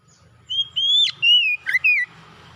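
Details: Oriental magpie-robin song aimed at bringing a silent bird back into song: faint low hum, then bright whistles, a sharp upward flick, a long level whistle and brief dipping notes.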